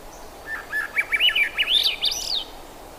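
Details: Thrush song: a quick run of looping, whistled up-and-down notes that grows gradually higher in pitch, heard over faint background noise.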